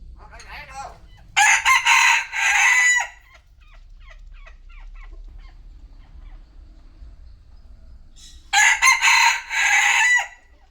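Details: Midday rooster crows twice. Each loud, ragged crow lasts about two seconds, and the two are separated by a stretch of soft clucking and clicks over low background rumble.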